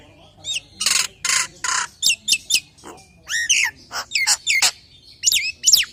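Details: Nias hill myna in full varied song, meant as a lure for other Nias hill mynas. Loud harsh squawks mix with clear sweeping whistles, some rising and some falling, in quick irregular bursts.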